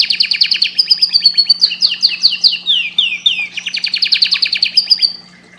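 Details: Canary song for breeding stimulation, a strong continuous performance of fast trills, repeated sweeping slurred notes and rolling rapid phrases, fading out at the end.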